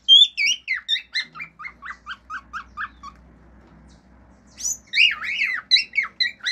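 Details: Singing male pet cockatiel at home, imitating sounds around it including wolf whistles and clicks. Whistled sweeps give way to a fast run of short repeated chirps, a quiet gap with faint low hum, then loud looping whistles.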